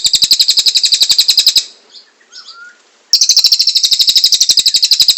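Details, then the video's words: Constantly singing cililin used as master song for murai, kacer and cucak ijo: a fast high chattering burst, a pause with a few faint soft notes, then the rapid buzzy series resumes. "Cililin Gacor Cocok Untuk Masteran Murai,cak ijo,kacer, & Burung Yang Lain Nya"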